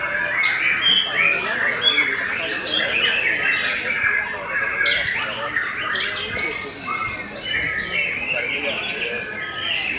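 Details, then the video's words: White-rumped shama of the Belanda type produces varied song: sweet whistled phrases alternating with sharp high chips and brief harsh bursts, with a slight dip in volume partway through. "TOP CERR🔥 Murai Batu BELANDA Memang TOP - Masih Stabil"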